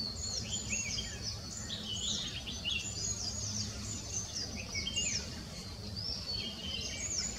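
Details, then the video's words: Courting Spot-breasted Fantail: high, squeaky chirps and short whistled notes, thin and irregular, with other small birds calling over a steady low hum. "Spot breasted Fantail"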